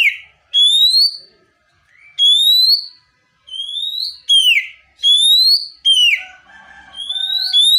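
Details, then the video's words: Oriental magpie-robin (kacer) calling tones from a tutor recording meant to draw replies. Loud, drawn-out rising whistles repeat at irregular intervals, mixed with quick downslurred phrases and some softer chatter near the end. "Masteran Burung Kacer Full Isian Dengan Nada Panggilan 100% Nyaut"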